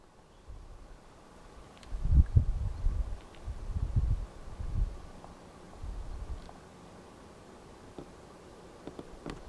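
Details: Male Ruffed Grouse drumming in courtship display near Pukaskwa National Park, Ontario, Canada: a series of deep, muffled thumps over several seconds, felt more than heard, with a faint background hum.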